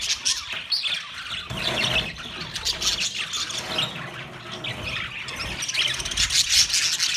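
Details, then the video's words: Budgies on 13 March 2024, with high chattering chirps over a rumbling low background noise that rises and falls. Scattered sharp whistled notes are heard near the start and end. "Beautiful Australian Parrot sounds Budgie Sound"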